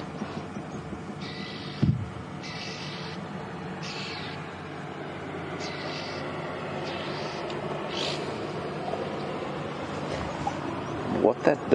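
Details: Red-billed Oxpeckers, heard but not seen, give harsh hissing rasps about half a second long, roughly every second and a half, over a vehicle's engine on a warm late-afternoon safari drive in South Africa, 26 May 2015.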